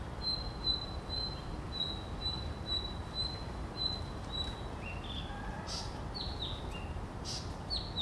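Blue-capped Rock Thrush: a run of thin, high notes about twice a second, then sweet, downslurred whistled phrases, over a low steady rumble.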